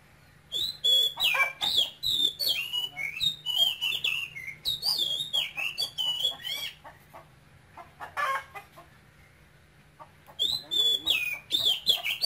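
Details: Caged male oriental magpie-robin, taken young from Cambodia and known for vigorous, continuous high-pitched calling, sings rich, varied whistled phrases with sliding notes and a few harsh buzzy notes, pausing briefly before resuming over a faint low hum.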